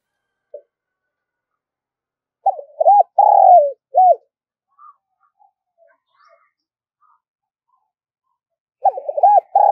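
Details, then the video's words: A spotted dove calling to entice wild doves: a quick stammered lead-in, a long full coo dropping in pitch and a short final hoot, repeated once after about six seconds of near silence. "tiếng cu gáy gọi, tiếng chim cu gáy kích bổi nhanh nổi nhất"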